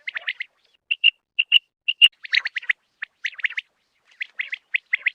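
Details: Common quail (batair) calls: a few quick chirp clusters, then pure whistled notes repeated about every half second, followed by more hurried, scratchy chirps in short groups.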